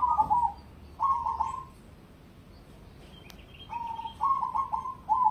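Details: Competition-grade cemani perkutut (zebra dove) cooing in mellow repeated phrases of stuttered notes and drawn-out tones, with a brief higher thin whistle in the pause.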